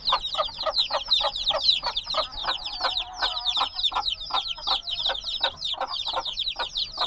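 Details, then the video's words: Noisy black chicks only days old in a binaural field recording. A steady stream of shrill, downward-sliding peeps overlaps constantly, several birds calling at once and rarely pausing. "Baby Chicks Sounds - Baby Chicken Chirping Noises"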